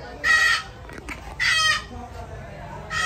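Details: Blue-and-yellow and red-and-green macaws, described as speaking, let out two loud grating squawks about a second apart, each a broad rasping blast, with a third starting at the end and quiet background noise between.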